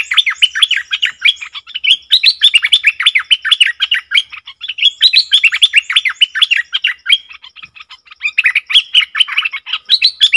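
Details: Bulbul recorded on 20 March 2022, singing a dense, fast run of bubbly, chirping notes that rise and fall, with short pauses between bursts and a faint steady ticking in the background.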